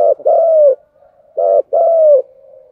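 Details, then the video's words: Spotted dove cooing continuously: low hollow coos in pairs, a short note then a longer drawn-out slightly falling coo, the phrase repeated, with soft murmuring between. "cu gáy thúc gù/ Cu gu lien tuc"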